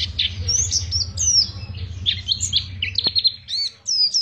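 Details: Long ngriwik song from an Oriental white-eye from Pacitan: high, slurred whistles and chirps in loose phrases, over a low hum that stops after about three seconds, with a single click.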